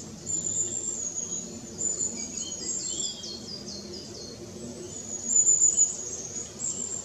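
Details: Long-tailed tits on 4 May 2016: parents feeding fledglings huddled in a row on a branch, recorded with a Nikon Coolpix P900. Thin, high descending notes run in a quick series, with lower short chirps and a steady high hiss.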